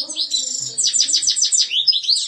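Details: European goldfinch singing a bright, tinkling phrase of quick repeated downslurred notes, then liquid twittering and a thin high whistle.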